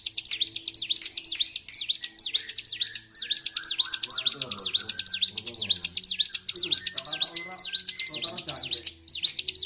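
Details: Highly agitated captive bar-winged prinia recorded on 26 February 2023, singing nonstop: a fast, unbroken stream of sharp, high, metallic notes, about two per second, with low human voices murmuring underneath.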